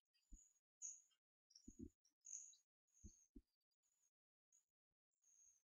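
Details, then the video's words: Twelve-day-old hawfinch nestlings, two surviving siblings being hand-fed indoors on 4 May 2014, give quieter high, sibilant begging notes in short irregular bursts, with dull knocks from handling. "Hawfinch chicks handfeeding"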